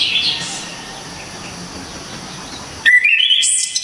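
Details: Orange-headed thrush from Java giving a loud, crisp song burst prized by bird keepers: a faint opening note, a long quiet gap, then a rising series of clear whistles ending in high thin notes.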